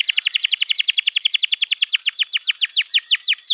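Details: Young-canary tutor recording of canary song: an unbroken rapid series of sharp downslurred chirps, very fast at first and slowing steadily, bright and loud throughout.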